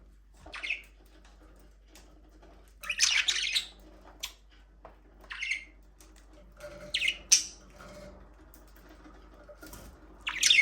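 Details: Budgerigars in their aviary, talking, singing and playing: scattered sharp high chirps come in short bursts every second or two, with quiet gaps between them and a faint low hum underneath.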